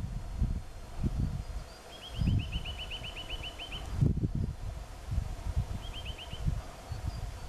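Eurasian nuthatch gives a fast trill of about a dozen clear rising whistled notes, then a short burst of four more, over heavy low rumbling wind noise.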